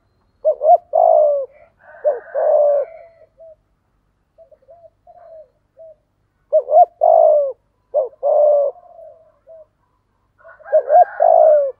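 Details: Spotted dove performing a full cooing sequence in the giọng thổ style, meant to rouse stubborn wild-caught doves into calling: paired low hooting coos with a rising-falling bend, separated by soft short notes, repeated in three bursts.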